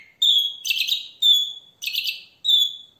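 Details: Red-rumped parrot song used to stimulate the female and male to mate: clear high whistles alternate with buzzier warbled phrases, each phrase lasting about half a second with short silent gaps between.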